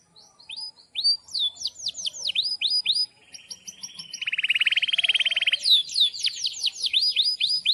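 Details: Gacor canary singing in breeding condition, with sharp cuit-cuit notes and a long roll. Fast repeated swooping whistles are followed by a steady buzzing trill, then more rapid downward-sweeping whistled notes.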